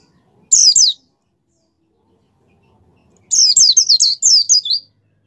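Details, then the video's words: Kept white-eye in brisk song meant to prompt other white-eyes to open their beaks and sing: a short pair of high slurred notes, a pause, then a longer rattling run of rapid, sliding, thin whistles. "suara pleci gacor pendongkrak mampu membuat pleci buka paruh"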